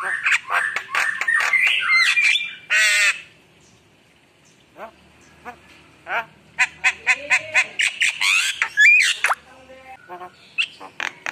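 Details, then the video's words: Javan myna singing energetically: dense rattling bursts and squawks, one rising whistled note near the start, a quiet gap, then a fresh run of sharp staccato notes and twisting whistles. "Suara Jalak Kebo Gacor Penuh Isian Mewah"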